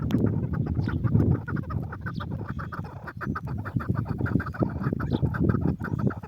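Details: Chukar partridge, known locally as lal keklik, giving a rapid series of harsh clucking notes, several per second, with low rumbling background noise throughout.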